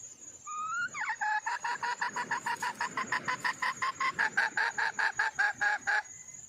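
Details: Female red junglefowl calling to attract a mate: after a short rising squeal, a loud, sustained series of about twenty rapid, evenly spaced clucks, roughly four per second, with a constant shrill insect drone behind.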